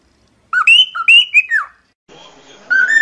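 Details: A cockatiel (Nymphicus hollandicus), in training audio for teaching cockatiels to sing, gives a quick run of clear, rising and falling whistled notes, then a short hiss of background noise before another bright whistle.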